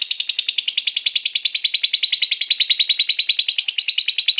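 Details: Lovebird singing ngekek, used to coax lovebirds to sing: a very regular, fast rattling trill of high buzzy notes, steady in pitch and volume throughout.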